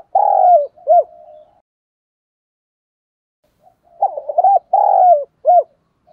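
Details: Decoy spotted dove giving its full cooing song to bring in wild doves. Two bursts of deep coos with short hooked notes are separated by a silent pause of about two seconds.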